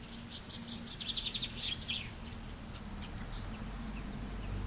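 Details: Chaffinch singing in spring, a fast run of high clipped notes for under two seconds, then a lone chirp, with a steady low hum and rising rumble beneath.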